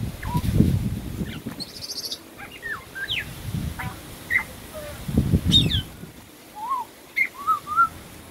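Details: Scattered whistles and short slurred notes from a wild Australian pied butcherbird, a songster known to copy other birds, mixed with low rumbling bursts of background noise.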